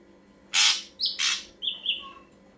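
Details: Ashy drongo song played as a bird lure: two loud broad rasping bursts separated by a short bent whistle, then a pair of clear level whistled notes near the end.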